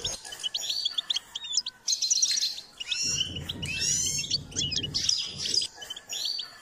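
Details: Goldfinch being trained and stimulated to sing: rapid, tinkling twittered phrases of high whistles and buzzy trills, tumbling continuously, with a low rumbling noise in the background from the third to the fifth second.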